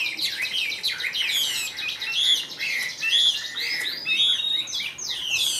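A Chinese hwamei sings a loud, fast run of varied whistles, slurred rising and falling notes and rich warbled phrases, with no pauses.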